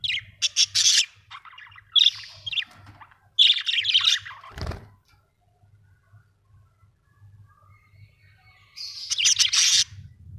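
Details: Budgerigars chattering in bursts of sharp, high chirps and scratchy warbles, several quick volleys early on, a long quiet gap, then a final dense flurry of chirping, with a low steady hum underneath.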